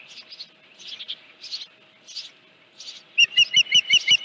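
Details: At a Dunrovin Ranch osprey nest, 31 July 2018, morning of a headless fish delivery: soft breathy chirp bursts, then an abrupt loud series of rapid, sharp whistled notes about six per second.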